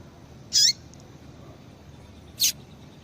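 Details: A female double-collared seedeater calls to prompt a male to sing: two brief high chirps nearly two seconds apart, the first sliding down at its end, the second sharper.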